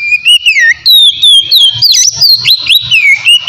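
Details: White-rumped shama singing its relaxed ngeplong song, a lure for untamed shamas: continuous bright whistles swooping up and down with quick chips, over faint low thumping pulses.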